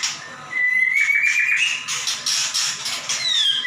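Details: White-rumped shama in vigorous 'gacor nembak' song, offered as a master recording for tutoring other shamas: a long whistled note slowly rising, then a run of bright high phrases and a final clear descending whistle, in a small room.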